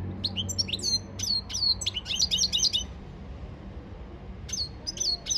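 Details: European goldfinch training song dated 15 February 2024: bright, tinkling high twitters tumble in quick succession for nearly three seconds, fall silent, then resume with a few more liquid chirps near the end over light background hum.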